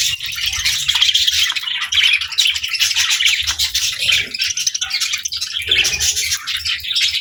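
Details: Pet budgerigars kept with lovebirds, chirping and playing: a continuous dense chatter of high, rapid twittering notes with brief gaps and a few low rustling thumps.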